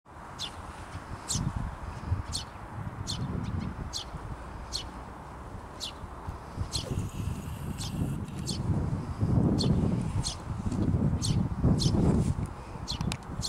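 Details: A Eurasian tree sparrow feeding its young at Roxen Lake, Linköping, Sweden, on 14 June 2021 gives short, sharp, high chirps at an uneven pace, several every few seconds, over a steady low rumble of wind.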